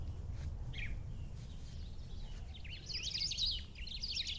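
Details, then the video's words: Black-throated saltator singing in the wild in a rural setting: a brief chirp early on, then a rapid run of high, sharply sliding twittering notes over the last second and a half, above a steady low rumble. "Bico de pimenta cantando na natureza"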